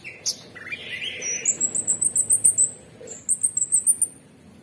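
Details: Orange-bellied leafbird, a kept cage bird, singing: a rapid series of very high, thin, whistled notes, about a dozen in a run, then a short pause and a second run, after a few lower, softer chirps.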